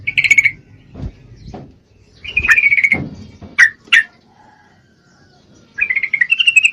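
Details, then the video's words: Female Yellow-vented Bulbul in breeding condition calling to a male: bursts of bubbly, chattering notes near the same pitch, a long rattling phrase mid-clip, sharp single chips, then a rising chatter at the end. Low thumping noises sound between phrases. "Trucuk Betina Memangil jantan, full Birahi"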